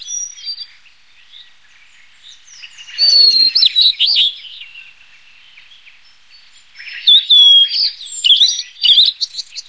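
A Blue-and-white Flycatcher gives two rich, high warbled phrases about four seconds apart, mixing clear whistles with quick slurred notes over a quiet background.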